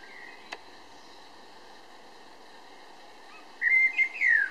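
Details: Eurasian blackbird in Berlin-Weißensee, Germany, in June: after a faint opening note, a sharp click and a long quiet gap, a short burst of mellow warbled whistles arrives near the end.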